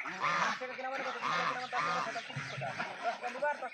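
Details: Several Raj ducks kept on a farm trade rough, nasal honks in quick bursts, calls overlapping in a busy, continuous flock chatter.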